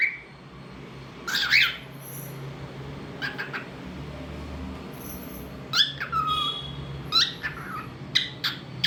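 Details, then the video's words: Pet cockatiel making different sounds: scattered harsh squawks and brief whistled notes, including a falling whistle, over a steady low room hum. "Talkative Bird 🐦 Singing n Making Different Sounds"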